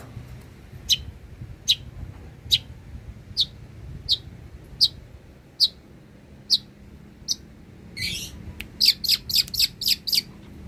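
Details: Long-tailed shrike in lively song, kept as a master for tutoring other songbirds and known to mimic many bird species: evenly spaced high, sharp chirps about once a second, ending in a quick run of rapid notes.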